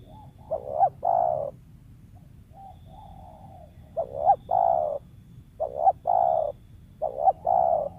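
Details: Wild spotted dove used as a lure bird, repeating low cooing phrases of quick stuttered notes and a long coo, four phrases roughly every one and a half seconds, over a quiet hum.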